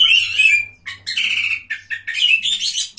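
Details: Contest Oriental magpie-robin, winner of third place, sings a sustained whistle followed by harsh, buzzy phrases broken by short gaps, with a soft low hum present.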